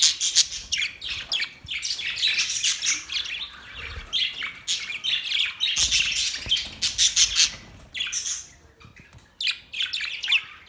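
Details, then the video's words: Nearly continuous chattering of Australian budgies: dense scratchy warbles and clicks overlapping, fading briefly near the end before resuming in short high bursts. "Beautiful Australian birds chirping sounds Beautiful Australian Budgies birds talking"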